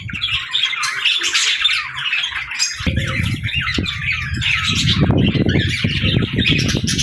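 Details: Cute pet birds keep up a chattering, scratchy warble while a low rustling or fluttering noise joins from the midpoint onward.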